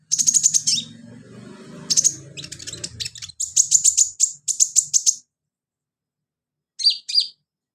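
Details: Energetic sunbird filler song for training birds: rapid runs of very high, thin, ticking chirps delivered in quick repeated series, then a short pause and two final sharp double notes, with faint low background noise early on.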